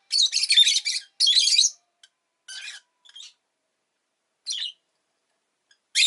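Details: {'caption': 'Kept rosy-faced lovebird with two loud, dense screechy bursts at the start, then softer scattered chirps separated by longer silences.'}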